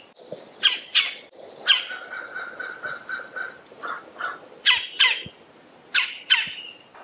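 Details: Red-bellied woodpecker calling in a fast series of harsh, grating squawks, some doubled, over a soft hiss with occasional low knocks.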